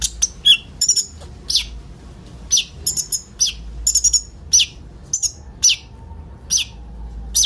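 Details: Several common ioras singing a song packed with borrowed notes, used to lure sunbirds: high, sharp chirps and short downslurred whistles in separate bursts, some doubled or tripled, with brief pauses between.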